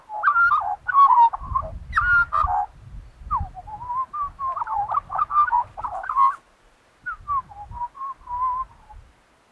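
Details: Loud rich warbling by an Australian magpie, Australia, mixing fluty notes and harsher chortles in long phrases over a low rumble, then a short pause and a steadier string of mid-pitched whistles.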